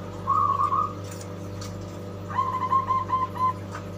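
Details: A captive zebra dove, about a week into taming in a group cage and already starting to coo, gives two short bursts of soft, fluttering, rolling coos, the second longer and stuttering, over a steady low electrical hum.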